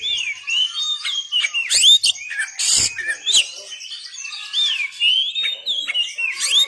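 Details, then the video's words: Oriental magpie-robin tutor song: a loud, continuous stream of looping, wavering whistles and sharp upslurred notes, varied and rapid, with one brief harsh rasp in the middle. "MASTERAN BURUNG KACER"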